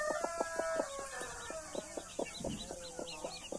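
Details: Blue mother hen tending Australorp and Brahma chicks: quick repeated clucks, some drawn into short tonal notes, roughly four per second, while chicks peep softly above.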